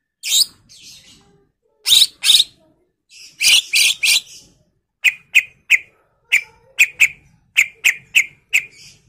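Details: Greater green leafbird in 'gacor' full-fill song, a 'pancingan' lure: loud rasping bursts at first, then a quick series of sharp, clipped chip notes in irregular pairs.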